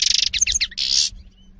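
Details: European goldfinch giving a brief burst of high twittering song: rapid ticking notes, a few chirps, and a harsh buzzy rasp, then silence apart from a low hum.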